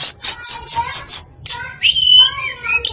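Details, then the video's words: Varied song from a female hill blue flycatcher: six quick, evenly repeated high whistled notes, then a lower, wavering clear whistle that slides down before a final high note. "Kicau Memukau Tledekan Betina Yang Bersuara Variatif"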